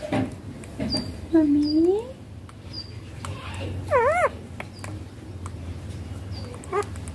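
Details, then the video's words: Baby rose-ringed parakeet giving tonal, harmonic calls: a drawn-out rising whine, then a short wavering note about three seconds later. Faint high chirps from other birds sound in the background. "Baby ringneck parrot natural sounds papa mummy"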